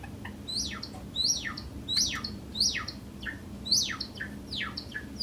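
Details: Pacific parrotlet just after waking, giving sharp, high, downslurred chirps, roughly one to two per second in an uneven series, over a low steady hum.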